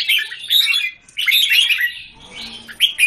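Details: Red-whiskered bulbul kept in a cage in Singapore, singing against a group of other bulbuls on 17 January 2019; bubbly, fast warbling phrases in three bursts separated by brief pauses.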